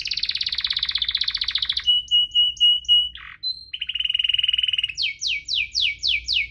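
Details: Canary singing a lively rolling song meant to prompt lazy canaries to sing: a fast high trill, then a steady whistled note, brief buzzy bursts, another trill and a series of rapid descending sweeps repeated about four per second.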